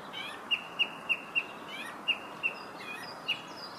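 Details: Song thrush singing in Herttoniemi, Finland: a short bright whistled note repeated about seven times in quick succession, fairly distant, over steady background hiss.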